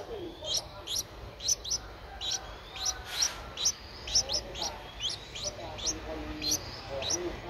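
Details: Nestling Streak-eared Bulbul, ten days old, Thailand's Ubon Ratchathani province, April 2023: thin high squeaks, rising and sometimes doubled, repeated irregularly a couple of times per second.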